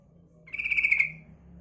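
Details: Yellow-vented bulbul female giving a lure call: one short, buzzy, rattling chatter over a low steady background hum.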